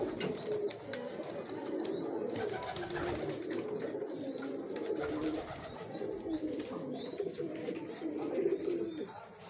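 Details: Pigeons competing for food, many birds together: a steady bed of low, overlapping, rumbling coos throughout, with short, thin, high whistled chirps from another small bird recurring every couple of seconds.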